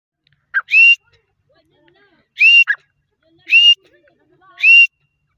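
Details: Grey francolin calling: four clear rising whistled notes about a second apart, the first two preceded by a short lower note, in near silence.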